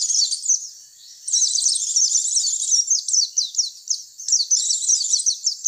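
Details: High, rapid twittering from a white-eye, used as a lure to bring in other white-eyes; a short dip near the first second, then a long run of tumbling chirps and sharp downslurred notes.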